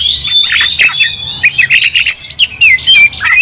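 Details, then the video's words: Oriental magpie-robin in fighting song: quick sequence of high, sliding whistles and harsh chips, delivered loudly in short phrases with small gaps. "Kacer langsung TARUNG bongkar emosi bikin kacer lain ikut dongkrak amarah kesurupan"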